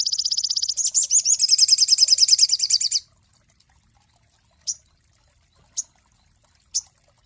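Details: Cinereous tit master song for training songbirds: a quick high trill that turns into a rolling, slightly wavering series, followed by three short high clicks spaced about a second apart.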